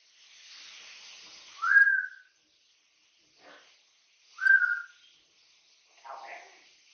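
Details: Pet Amazon parrot, three years old, kept in a home, giving two loud clear whistles about three seconds apart, each rising then sliding down, with soft breathy mutters between and after.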